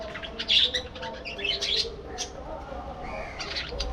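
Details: Budgerigars living together in a breeding colony give thin squeaky chirps and brief rising warbles, scattered irregularly over a continuous soft background chatter.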